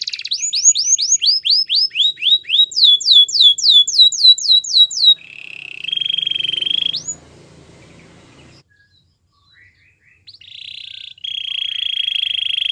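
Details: Canary training song: a fast run of downward-sweeping whistled notes repeated about four per second for five seconds, then a steady buzzy trill, a brief pause, and further sustained buzzy rolls.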